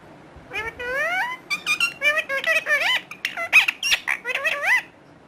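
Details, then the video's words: Talking parrot chattering a steady string of imitated syllables, squeaky and bending in pitch, interspersed with short squawky bursts. "Romeo One Of The Best Talking Parrot"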